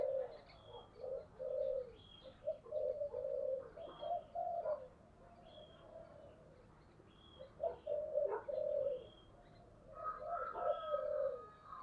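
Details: Spotted dove with the 'giọng thổ' voice style, spurred to call in fighting competition. Low, mellow cooing phrases come in bursts with short gaps; thin high chirps from other birds are heard above.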